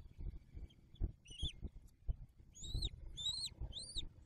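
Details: Wild Bald Eagles at their nest with a newly hatched first eaglet, December 2022, during feedings after the male brought in a catfish: a short series of high, arched, slurred notes, with low rumbling nest noise.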